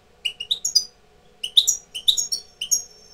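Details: European goldfinch, a tutor bird coming into breeding condition, sings short bursts of three or four quick tinkling notes, each burst separated by a brief pause, high and bright.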